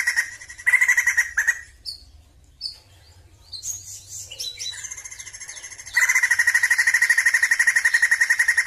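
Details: Loud harsh rattling bursts open, followed by short whistled slurs and descending notes, then a sustained rapid rattle-trill, pulsing evenly, from a Sumatran crested laughingthrush; quiet low hum underneath.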